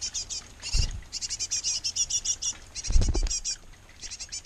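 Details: Great tit pair feeding nestlings at a nest box. Quick, sharp, high chirps come in irregular bursts, interrupted twice by low thumping rustles, likely movement at the box.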